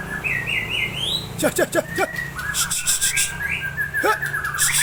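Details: An Aceh-type white-rumped shama with a long tail sings in its varied fill-in style: a bouncing whistled phrase, steady clear whistles, and sharp clicking, snapping notes mixed throughout.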